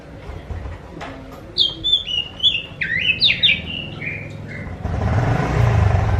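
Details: Oriental magpie-robin (kacer) lure song for drawing replies from other magpie-robins: a lively three-second string of whistled, jumping notes, followed by a rushing burst of broadband noise at the end.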